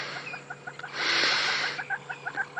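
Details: One covey of crested francolins calling at dusk on a still, warm evening after sunset; a rhythmic run of short, harsh, repeated notes about four per second, with a louder broadband burst partway through.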